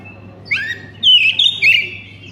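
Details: Oriental magpie-robin singing as a lure for other magpie-robins, giving a short rising whistle, then loud warbled phrases with slurred notes, over a low hum.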